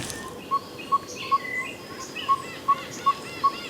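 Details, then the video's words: In coastal forest of Zululand, South Africa, near an estuary around sunrise, an unseen tinkerbird repeats a short, hollow, mid-pitched note about 2.5 times a second, steady and even, while other birds chirp faintly higher up. "You can hear these tinker birds everywhere."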